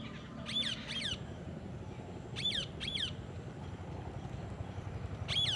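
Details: Green ringneck parakeet calling: sharp, shrill screeches given in pairs, each a quick harsh chirp, in three bursts over a rumbling background of low engine-like noise.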